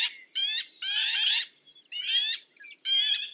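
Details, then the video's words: Black-billed magpie making loud, grating, nasal squawks, each drawn out for a fraction of a second, in an uneven series with short silences. "Black billed Magpie - Bird Sound"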